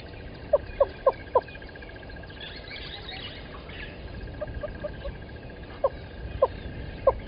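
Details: Yellow-billed and red-billed hornbills at Gowrie dam waterhole, Djuma Game Reserve, Sabi Sand, South Africa, 05:16 on 13 October 2020: a few hollow clucking notes in a short quick run, then sparse single clucks, over a steady insect hum.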